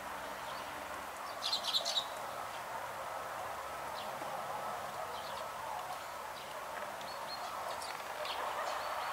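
A spotless starling gives a quick burst of scratchy, chattering notes, then a few faint, scattered chirps over a steady hiss of background noise.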